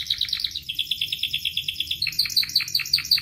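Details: Canary song used to train and prompt other canaries: rapid chirped notes run into a steady trill, then sharp downward-sweeping chirps repeat about five times a second, over faint low background noise.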